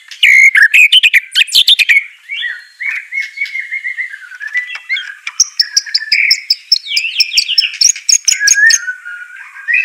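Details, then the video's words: White-rumped shama training song: an opening volley of loud sharp chirps, then long varied warbling with whistled slides and rapid high twittering phrases. "Gak Perlu Lama Murai Batu Malas BUNYI Pasti LANGSUNG NYAUT NARUNG dan GACOR"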